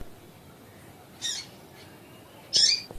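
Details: Two high, buzzy, harsh notes from a female Double-collared seedeater, a call used to get males singing, spaced about a second and a half apart.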